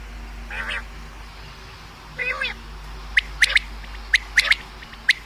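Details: Common quail, a recording for hunting: two nasal buzzy calls early, then quick sharp clicking notes in pairs and threes, about one group a second, over a quiet background.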